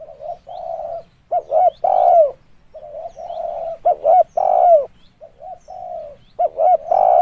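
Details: Lure recording of a spotted dove: repeated soft, hollow coo phrases. Each opens with a quiet steady note, then two quick clipped hoots and a loud drawn-out coo that bends downward. Three phrases are heard.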